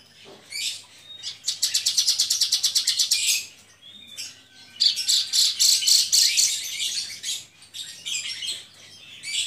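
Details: Caged Javan bush lark in full gacor song: long rapid trills of sharp high notes, a pause, then a dense scratchy warbling run with varied chirps.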